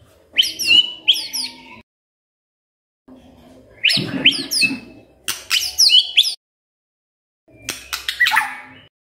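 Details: Magpie-robin song meant to prompt a silent bird to sing, given as three separate bursts of high, sharp chirps and squeaky notes with pauses between them.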